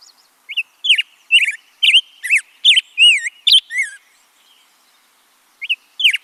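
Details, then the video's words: Black-headed Grosbeak singing a rich, robin-like warble, like a robin with professional singing lessons: about eight quick, sweet, rising and falling whistled phrases, a brief pause, then two more phrases. "Then the third species, black-headed grosbeak, is a robin that has undergone professional singing lessons."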